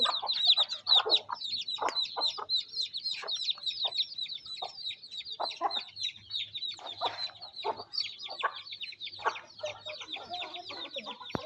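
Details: Mother hen feeding chicks in the rain in a village in Pakistan. The chicks chirp constantly in high notes, and the hen gives irregular low clucks against a faint steady hum.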